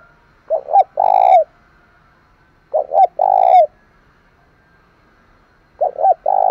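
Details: Spotted dove kept as a decoy to draw in wild birds, repeating its cooing phrase about every two and a half seconds. Each phrase is a quick double coo followed by a longer, buzzy coo falling at the close. Three phrases are heard.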